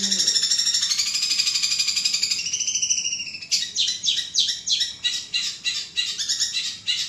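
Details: Long-tailed shrike recording used to get other shrikes to respond: a high, continuous buzzing trill for over two seconds, then a run of rough, repeated chattering notes at about three per second.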